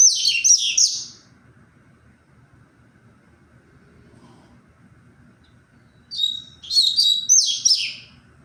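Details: Recorded 23 February, a tui-tui style double-collared seedeater gives two separate bursts of rapid, buzzy, stuttering high notes several seconds apart, with quiet low hum between them.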